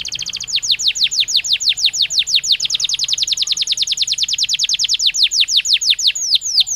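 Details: Belgian canary song, a long, even series of bright downward-sweeping notes repeated about twice a second, with a brief faster trill at the start.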